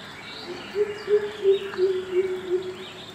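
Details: Greater coucal recorded in March 2017 at Birati, Kolkata: a run of about seven deep, hollow hooting notes, evenly repeated nearly three per second, with faint chirps of other birds higher up.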